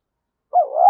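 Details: Spotted dove decoy bird cooing to provoke a fight. A single loud, low, smooth coo of about half a second begins after a silent stretch.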